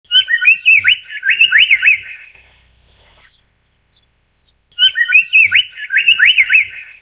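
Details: Amur paradise flycatcher (Terpsiphone incei), an occasional passage migrant in Taiwan, giving two bursts of harsh, rasping chatter, each about two seconds of rapid notes, over a steady high insect whine.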